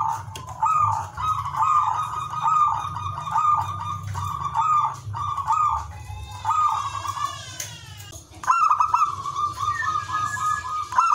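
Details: Zebra dove in energetic ngowar singing, used to stir breeding urge in other doves: repeated trilled, bubbling coo phrases on one mid pitch, with a rising sweep near the middle and steady low background hum.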